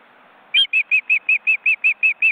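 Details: Wild ospreys at a nest with their large chicks, filmed by a webcam in an Estonian woodland reserve. Brief quiet, then ten piping whistled notes in quick, regular succession.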